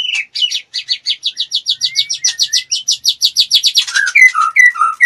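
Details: Female white-rumped shama in breeding condition, kept as a cage bird, singing a fast run of short repeated chips about 140 a minute, then lower whistled notes near the end.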